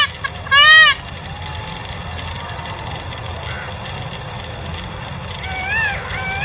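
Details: White peacock displaying its fan gives one loud, brassy, nasal cry lasting about half a second, then fainter calls near the end, over steady traffic-like background noise.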